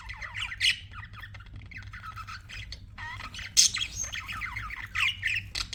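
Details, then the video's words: Several budgies chirping: busy warbled chatter with downslurred notes, sharp squawks and clicks, a louder squeal midway. "BUDGIES CHIRPING SOUND"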